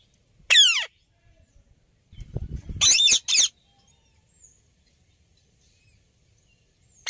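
An Alexandrine parakeet gives loud, harsh, screeching calls: one early, a quick double screech a few seconds later, and another at the end, with a brief low rustle between.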